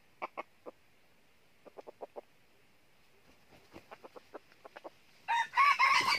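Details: Red junglefowl decoy used to lure wild junglefowl into a trap in northern Vietnam. Short low clucks come singly and in quick runs of three to five, then a loud harsh burst of rasping noise closes the recording.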